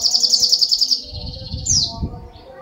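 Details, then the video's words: Sunbird singing persistently: a fast run of about nine high, sharp repeated notes, then a sliding note that drops in pitch, over a low background rumble. "SUARA BURUNG SOGOK ONTONG GACOR"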